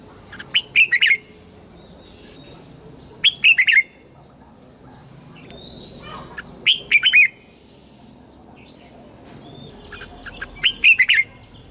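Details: Red-whiskered bulbul used as a lure bird, singing to call wild bulbuls to fight: four short bursts of quick, liquid whistled notes spaced a few seconds apart, with a steady high hum and faint background noise.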